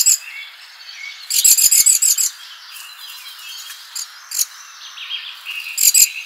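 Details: Birds visiting a summer garden feeder give high chirps and thin twitters, broken by short bursts of rapid, buzzy clicking notes at intervals, with quieter calls in between.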